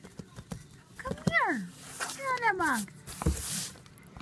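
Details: Pet Moluccan cockatoo in a box, talking: two slurred, harmonic-rich phrases that glide downward, like drawn-out spoken words, followed by a burst of scratchy rustling noise.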